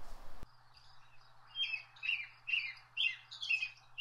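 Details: American robin, an early riser that eats worms, insects and berries, singing short, clear caroling phrases one after another over a steady low hum.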